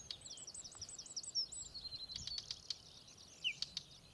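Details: Whinchat on Exmoor: a quick run of about eight high, thin, upslurred whistled notes in steady rhythm, then a looser burst of sharp clicks and short chirps against faint background hiss.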